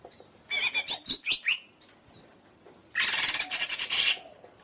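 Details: Greater green leafbird delivering a burst of rapid chattering and slurred whistles, a pause, then a loud harsh buzzy rattle.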